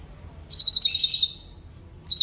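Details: Black-crested bulbul, a noted mimic kept as a tutor: one quick, tightly packed high trill of about ten notes, trailing off, with the start of another burst at the end.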